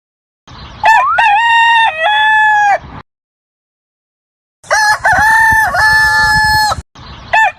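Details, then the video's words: Chicken, presented as a hen, gives two long, strained, rising-then-held crows, each about two seconds, separated by silence, with a third crow just beginning at the end. "બાળકો હવે આપણે મરઘી નો અવાજ સાંભળીએ બાળકો"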